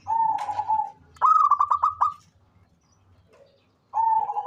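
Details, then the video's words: Zebra dove, local Indonesian stock, a bird that calls often and is used to lure others into calling: a steady cooing note, then a bright stuttering series of rapid trilled pulses, the pattern repeating after a pause. "SUARA perkutut LOKAL gacor cocok buat pancingan rajin bunyi"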